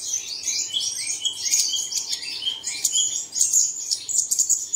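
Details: High, chattering birdsong meant to prompt caged birds to sing in the early morning: rapid thin chirps and short twittered phrases, rising and falling in loudness over a few seconds.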